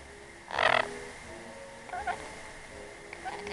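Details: Pet lorikeet rambling and making silly talking sounds while licking the camera lens; a short harsh harmonic squawk near the start, then brief softer chattering notes later.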